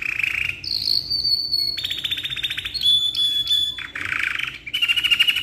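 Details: Rolling canary song from a black-red bird in full voice, suitable for tutoring: alternating buzzy low trills and high sustained whistles, each tour lasting around a second, delivered back to back without pause.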